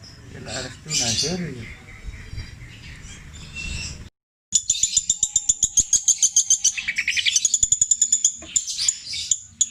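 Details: Long-tailed shrike from Java, Indonesia, mimicking other birds in long repeated phrases. Muffled mixed chatter comes first, then after a short gap a thin high whistle runs over quick sharp clicks and a dipping slurred note.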